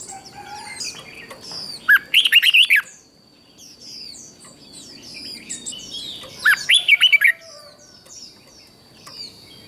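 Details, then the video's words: Red-whiskered bulbul from Thailand singing in the southern master style, played to excite other bulbuls and teach young birds: two short, loud warbled phrases of whistled notes about four seconds apart, with faint chirps and a thin steady tone behind. "เสียงนกกรงหัวจุก สำหรับต่อ หรือ เปิดให้นกคึก"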